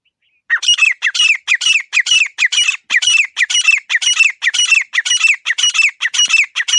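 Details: Grey francolin (desi teetar) calling: a loud, harsh, squawky series of ringing notes, about two per second, going steadily for over six seconds with no other sounds.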